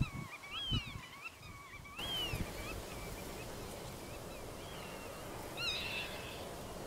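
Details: Black-tailed godwits in a meadow, where males fight over nesting territory while females watch, give nasal, bouncing calls that rise and fall, several in quick succession, over a steady rush of wind.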